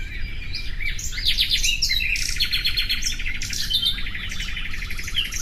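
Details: Varied common nightingale song mixing whistled slurs, fast buzzy trills and clicking note series, phrases following closely one after another over a low background rumble.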